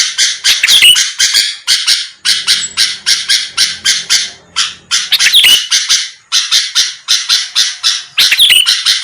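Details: Sooty-headed bulbul used as a lure to make rival birds answer: rapid rasping bursts in short runs broken by brief gaps, with a few high, sharp whistled notes cutting through and a faint low hum underneath.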